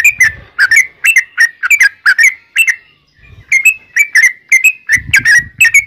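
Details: Yellow-vented bulbul phrases used as a lure to prompt answering birds. Bubbly, slurred double notes repeat steadily about twice a second, with a short gap midway and soft low thumps in the background.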